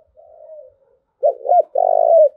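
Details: Spotted dove cooing call, used to train decoy birds and stimulate males. A soft, falling murmur comes first. Then a loud phrase follows: a double throaty note and a long, buzzing, purring coo that drops at the end.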